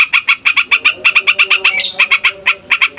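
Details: Yellow-vented bulbul, a 'fighter' bird, in long rolling 'ngeroll' song, noisy style used to lure wild bulbuls: rapid chain of short bubbly chirps about eight per second, one brief higher squeal midway.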